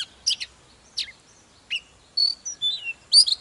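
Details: Oriental magpie-robin, an old wild-caught bird in fired-up morning song used to stimulate other magpie-robins. Sparse, separate notes: sharp high chips, downslurred whistles and a few clear sustained whistles, spaced by short quiet gaps.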